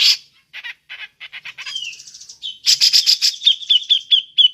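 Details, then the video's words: Grey-cheeked bulbul (cucak jenggot) giving ngepik calls, used as a lure for other birds: short buzzy chattering bursts, then a rapid series of sharp high chips and thin whistled notes, repeated about four times a second. "Burung cucak jenggot ngepik cocok untuk pancingan"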